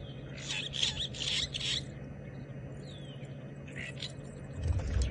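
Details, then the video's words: Starlings at a termite mound, having eaten the alates, give bursts of harsh, buzzy chirps with a thin whistle between, over vehicle engine hum, during a sunset drive on 6 April 2018 after rain, Djuma, Sabi Sand, South Africa. "But the starlings, nonetheless, are there. You can hear them having a little bit of a chirp."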